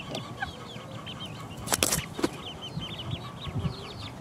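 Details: Four-week-old chicks pecking around, high short peeps repeated through the clip, broken by a loud burst of scratching or flapping noise midway and scattered low thuds.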